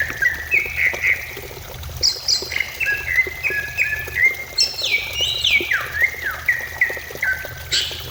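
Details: Greater green leafbird song for luring a leafbird into quick song and easing stress: a long, varied phrase of stepped, sliding whistles climbing to high notes, then descending in ladder-like steps.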